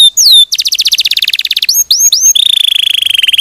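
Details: Canary song recorded as clear training material for other canaries: a sweeping whistled slur, then a fast rattling trill of rapid repeated notes, quick upslurred chirps, and a long, very rapid high buzzing trill.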